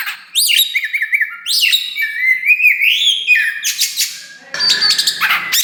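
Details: Vigorous song of a Kacer wulung (Oriental magpie-robin), a young bird newly spreading its tail: looping whistled notes repeated three times, a long wavering whistle, then harsh dense chattering bursts.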